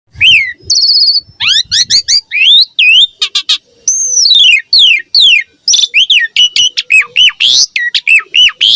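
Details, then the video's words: Energetic Javan pied starling song played to lure young starlings, a dense run of rising and falling whistled slurs, buzzy trills and hooked chirps with scarcely a gap. "Pancingan Jalak Suren Auto NYAUT RESPON Mompa Gacor Full Isian Buat Masteran Suara Burung Jalak Muda"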